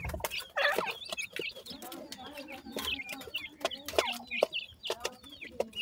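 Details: Grey francolin chicks chatter in many quick, high, slurred peeps, over steady clicking, rustling and faint low clucks.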